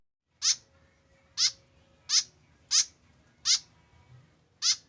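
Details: Tame white-breasted woodswallow kept alone without a companion, giving harsh, buzzy, downslurred notes, six in under five seconds at roughly one per second, over a faint low indoor hum.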